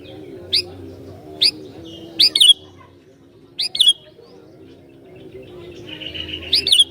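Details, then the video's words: Sooty-headed bulbul, an actively singing bird said to be very good at provoking other bulbuls, gives short bubbly whistled phrases roughly every second, some doubled, over a steady low hum in the background. "Burung Kutilang Gacor Ini Sangat JAGO Mancing Kutilang LAIN"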